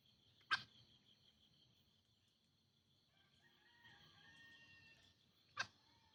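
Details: Green junglefowl call from a recording used to lure wild birds: two short, sharp, hoarse bursts about five seconds apart, over steady high-pitched insect buzzing and faint chirping in between.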